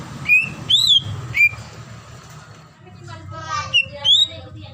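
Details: A female greater green leafbird calls the male during breeding condition. A few loud whistles, one clearly rising, are spaced about half a second apart against a noisy background with faint warbles.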